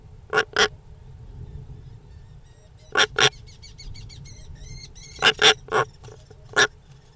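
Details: European rollers uttering harsh, crackling paired calls in short bursts, while thin whistled notes from another bird drift in faintly between them over a low steady hum.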